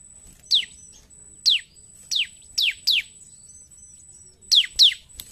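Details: Bar-winged prinia in lively, fighting-style song: sharp whistled notes sliding steeply downward, given singly or in quick pairs with short pauses, over a steady thin high tone and faint low rumble.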